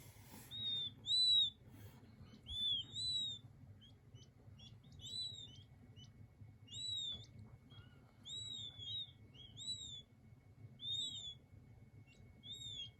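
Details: King quail chicks calling softly: high, curved whistled peeps in pairs and small groups at uneven intervals, with a faint steady tone and low hum in the background.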